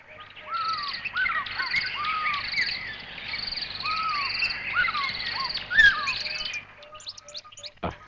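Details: Natal robin, an elusive dweller of thick bush and forest in Africa, mimicking a fish eagle: a run of clear, ringing, slurred whistled notes, rising and falling, repeated steadily for about six seconds, from an old tape recording.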